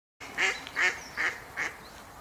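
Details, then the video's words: Mallard call from a compilation of male and female calls: four loud, evenly spaced harsh nasal notes, about 0.4 seconds apart, with little background noise. "マガモ♂♀の鳴き声（ガァハッハッハ，ヒィ ，ゲッ ゲッ ゲッ，ゲゲゲ ゲゲゲ，など）"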